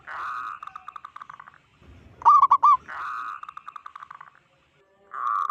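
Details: Local zebra dove with a strong voice, its call said to unsettle other zebra doves; long soft purring rolls that fade out, broken by one loud, sharp trilled coo phrase.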